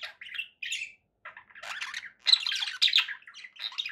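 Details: Domestic budgerigars give spaced-out chirps and short scratchy phrases at first, then build into louder, overlapping squawky warbling toward the end.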